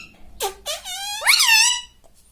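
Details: Talking parrot kept as a pet produces two brief low syllables, then a long drawn-out nasal sound that climbs and levels off, like a human word being imitated.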